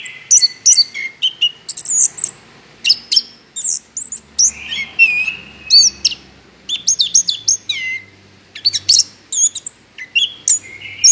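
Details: Energetic Orange-headed thrush song played as a lure for other songbirds: a long, rich stream of varied whistles, sharp high notes and warbled slurs, packed closely with only tiny breaks.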